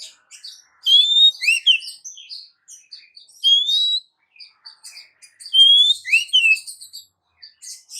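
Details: Oriental magpie-robin female calling a male, a much-sought lure: three rising whistle-and-swoop phrases about two seconds apart, surrounded by dense quick chirping and twittering.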